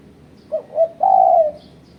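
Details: Lure call of a spotted dove meant to provoke rivals, a three-part phrase of two brief hooting notes and one sustained descending coo, with faint distant chirping behind.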